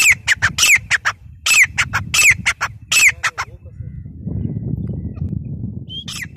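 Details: Teetar, the grey francolin, dated 03/10/2020, gives a loud rhythmic series of harsh, squawky notes with bright whistled upslurs. It falls silent after about three seconds, leaving low background rumble, then one more note starts at the end.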